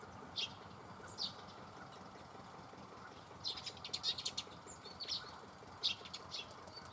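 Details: Red crossbills calling alongside bramblings at Dohr in Germany's Eifel, 24 October 2015: clipped high 'kip'-like notes, single at first, then a tight cluster of several quick calls and a few scattered ones, over faint background hiss.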